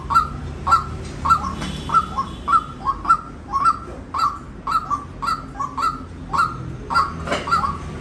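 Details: Evenly paced sharp calls of a white-breasted waterhen, each a bright note with a short falling tail, repeated about twice a second, plus faint high whine.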